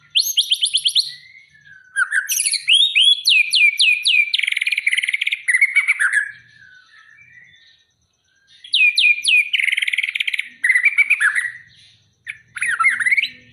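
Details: Aceh white-rumped shama, ready for a contest, singing a rich, varied song of rapid high chirps and slurred whistles in dense bursts, pausing briefly around the middle before resuming.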